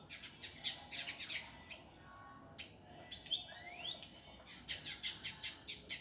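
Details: Master recording of an indigo bird for training birds, with a rough, fast, dense singing style: bursts of high chirps, a drawn-out whistle, then sweeping squeaky notes and a fresh run of rapid chirps over steady background hiss.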